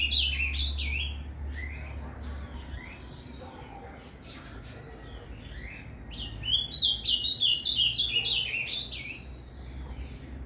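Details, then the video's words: Azulão (ultramarine grosbeak) delivering Paraná canto fibra song to stimulate a captive bird: a brief opening burst, a few scattered quieter notes, then a long, fast, rolling phrase of bright whistles; low hum throughout. "ESQUENTE seu AZULÃO com esse PARANÁ CANTO FIBRA !"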